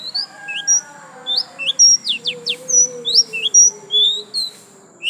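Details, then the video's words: Pleci, a white-eye, in gacor lasroll song: separated high whistled notes sliding up and down, about two or three per second, with a constant thin high tone and soft low drones behind. "Pleci Gacor lasroll"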